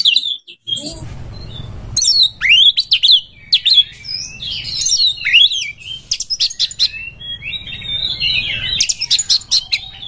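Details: Oriental magpie-robin in breeding condition, singing as a lure for other birds: sweeping whistles and sharp clicks tumble into varied warbling over a steady low hum.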